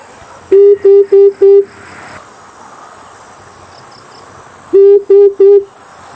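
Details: Amethyst brown fruit dove hooting as a hunting lure: four deep, level hoots in quick even succession, a pause, then three more, with a thin steady electronic tone throughout.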